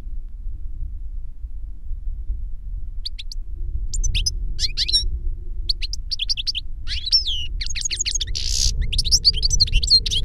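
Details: Older goldfinch teaching a younger bird: after several seconds of low hum, twittering starts and builds into a fast, continuous warble of sharp chirps and a short buzzy trill.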